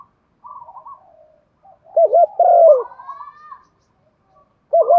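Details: Thổ-style Spotted dove coo for luring birds: soft higher twitters first, then one clear phrase of two quick wavering notes and a long descending coo, and the start of another phrase at the end.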